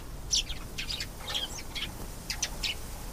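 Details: Canary song in short bright bursts, quick high chirps and little trilled notes coming every few tenths of a second over a low constant hum.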